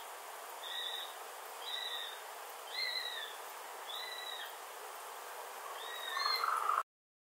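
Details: Eurasian sparrowhawks flying around and landing in a tree at a nature reserve near Wrestlingworth, Bedfordshire, UK, 28 August 2021: one gives five thin, high, slightly arched whistled notes, about one each second, over steady hiss.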